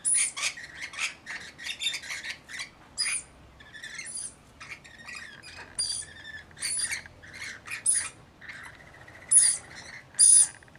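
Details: About 40 Rainbow Lorikeets in a mixed flock watching over one baby: busy, scratchy chatter and short squeaks with occasional loud piercing screeches toward the end.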